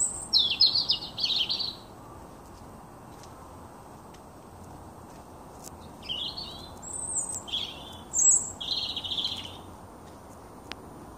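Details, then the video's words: Young male blackbird singing to win a mate and territory: separate short, high warbled phrases with squeaky twittering, broken by a long pause, over a steady low background hiss. "Blackbird Song"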